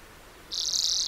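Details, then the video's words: Lesser redpoll giving a single dry, buzzy, high-pitched rasp lasting about half a second, which starts abruptly after a short quiet pause. "Lesser redpoll 1h bird sound"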